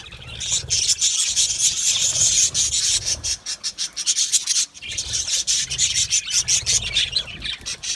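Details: Australian budgies chattering in an aviary colony: a continuous rasping, scratchy wash of high chirps that briefly dips near the middle before resuming.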